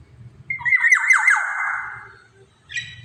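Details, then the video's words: Black-naped oriole making one loud, grating, nasal call with stepped downward slurs lasting over a second. A low rumbling background comes before and after, and a short bright note closes the clip. "kepodang gacor cocok buat pancingan"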